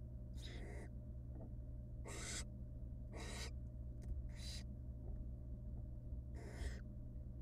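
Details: Wild barn owl nestlings in a monitored nest box beg while their mother feeds them small pieces of rabbit; five harsh, breathy hissing screeches of about half a second each, irregularly spaced, over a steady low electrical hum.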